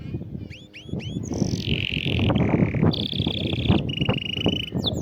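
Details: Canary singing to encourage a silent bird: three quick upswept whistles, then a series of fast rolled trills that shift from one pitch to another, all over heavy rumbling background noise.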